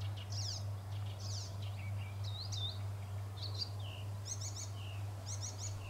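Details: European bee-eaters at a small sand pit in South Bohemia, Czech Republic, 13 June 2021: a series of short rolling, slurred chirps, some rising and some falling, repeated irregularly over a steady low hum.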